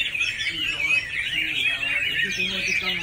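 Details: Chinese hwamei in song, pouring out dense looping whistled notes and quick slurs, with a few lower tonal notes underneath toward the end.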